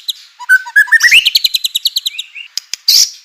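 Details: White-rumped shama in full vigorous song, played to rouse other shamas into answering; soft notes climb in a rising run into a fast, even chatter of about a dozen bright notes, ending in a harsh burst.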